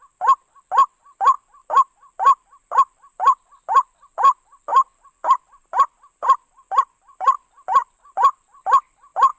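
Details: Repeated croaking call of a white-breasted waterhen, used as a lure for trapping, running at an even two notes per second with a quieter short note between some croaks and a steady faint hiss.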